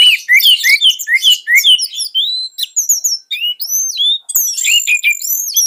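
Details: Orange-headed thrush singing as a tutor for young or not-yet-singing thrushes: a fast stream of sharp chirps and whistled slurs, with bright upward and downward sweeps repeated more than twice a second.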